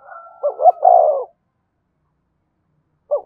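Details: Decoy spotted dove cooing to stir a freshly caught caged male: one soft, throaty phrase of quick notes sliding into a long falling coo, then silence before the next phrase begins.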